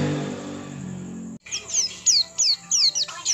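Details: Oriental white-eye 'buka paruh' song, used to stimulate other white-eyes to sing: music plays for over a second, then stops and high, sharp, down-slurred chirps follow about three times a second.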